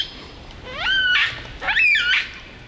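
Superb Lyrebird copying a kookaburra: two loud, harsh, swooping notes about half a second apart, rising then falling, with a faint hum beneath.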